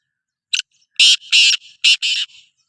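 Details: Call of a Sindhi black francolin (kala teetar): a brief clipped opening note followed by a rhythmic run of four harsh, buzzy, grating notes, paired with short gaps, against a silent background.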